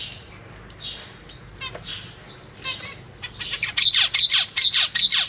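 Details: Captive zebra finch babies being fed by their parents: scattered buzzy chirps, then a loud, rapid, insistent series of harsh nasal calls, about two to three per second, in the last two seconds.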